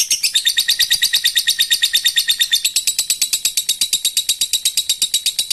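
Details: A lovebird's long ngekek, intended to draw other birds into calling, heard as a continuous quick-fire stream of shrill buzzy pulses, around ten each second, steady in rhythm throughout.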